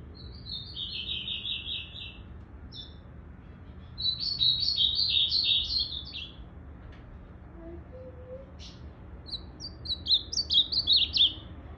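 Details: Three main phrases of lively warbled song from a blue-black grosbeak with a not-yet-grown tail, 8 September 2020; fast descending and rising notes, the last burst choppy and emphatic, soft background hum between.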